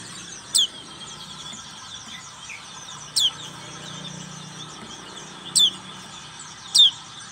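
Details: Black-capped white-eye singing in ngriwik style, giving four sharp, high chirps that drop steeply in pitch, spaced irregularly about one to three seconds apart over a steady low background hum.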